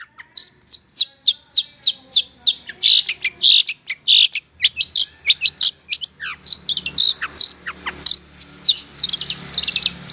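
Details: Cendet, or long-tailed shrike, in a tutor recording for training kept birds: a fast series of sharp, high looping chirps, then a varied jumble of clicks, scratchy notes and slurred whistles, delivered nonstop.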